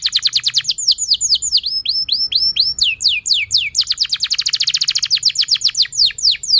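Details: Caged canary singing, used to coach young canaries and prompt quiet ones: a continuous series of downslurred whistled notes speeding into a fast rolling trill, lively and unbroken.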